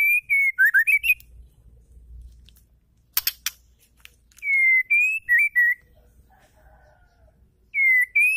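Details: Female white-rumped shama singing to stir male shamas into song: bursts of loud, clear whistled phrases with slurred dips and rises, separated by pauses, with a brief clattering noise midway.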